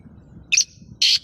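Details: Black francolin giving two short, harsh, rasping notes about half a second apart, each a dense burst of high scratchy sound over a quiet background.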